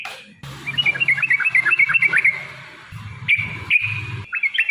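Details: Yellow-vented bulbul (trucukan) song meant to provoke rivals: a fainter run of quick, bubbling notes, then short separate warbled phrases over a low humming background.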